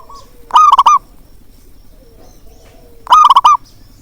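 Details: A local zebra dove with a strong voice gives two clear cooing phrases. Each opens with a rising note and breaks into four or five quick rolling beats. Background is quiet.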